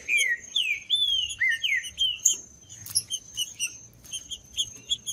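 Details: Green-winged saltator singing to warm up other saltators: loud, full whistled phrases, some swooping down and others arching, in an unbroken stream, then softer repeated notes. A constant thin high whine and small chirps sit behind it.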